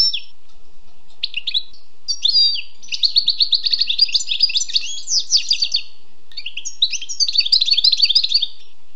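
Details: Sustained song of a wild European goldfinch: scattered chirps building into rapid trilled twittering runs, with short breaks between phrases, in a quiet setting.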